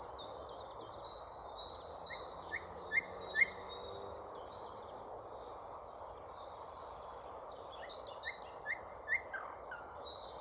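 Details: Thrush nightingale song: faint, high whistled and clicking phrases in two bursts separated by a quiet gap, over steady background hiss.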